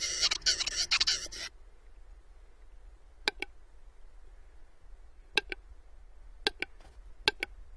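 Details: A western capercaillie in its mating-season courtship display gives a rushing, hissing scrape, then sharp dry clicks in quick pairs every second or two over quiet background hiss.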